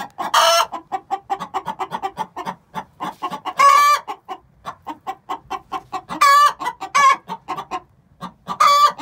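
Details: Six-month-old hens giving the egg song before laying: rapid runs of short clucks broken every few seconds by a loud drawn-out squawk, about four long cries among dozens of clucks.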